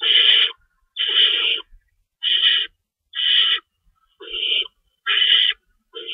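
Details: Owls in a nest at 3:53 AM on March 25, 2012, during feeding time with an adult shredding rabbit; seven coarse, hissing screeches, each about half a second, repeated nearly every second.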